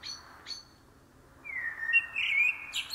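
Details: Common blackbird (karatavuk) song: two brief high chirps, a pause, then a sliding mellow whistled phrase rising into a squeaky high flourish at the end.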